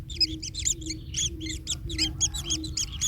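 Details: Nestling kingfishers, one hurt after its parent stands on it: a short burst of squeaky, chirping notes in quick clusters, some thin and high, over faint low background noise.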